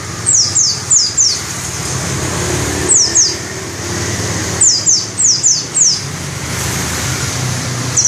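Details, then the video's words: High, thin descending whistles from a white-eye come in quick bursts of two to five notes separated by pauses, over a continuous low-frequency background hum. "Burung pleci dakun ngalas ngerol buka paruh volume semelit"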